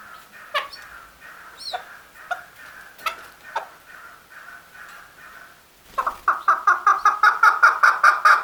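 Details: Male chukar calling: soft, spaced low notes for six seconds, then a loud, rapid run of harsh pulsed clucks, about three per second and growing stronger toward the end.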